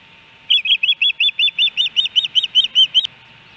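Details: Osprey calling at the Hellgate Canyon nest, Missoula, Montana, July 13, 2018, amid fish deliveries; a quick series of about fourteen sharp, slightly slurred whistles lasting two and a half seconds, ending with a click.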